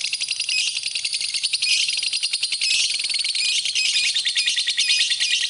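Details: A shrill, insect-like lovebird twitter recorded as a master track for other birds, rapid ticking pulses woven into a constant high chatter with small swells in volume.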